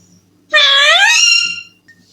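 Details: Young pet Alexandrine parakeet indoors, a talking parrot said to say "I love you": one loud, harsh, drawn-out squawk lasting about a second, with a faint low hum behind it.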